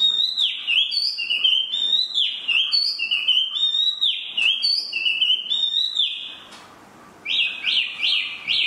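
A spot-throated babbler sings bright, sliding whistled phrases about once a second. After a brief pause, it gives a run of quick rising notes.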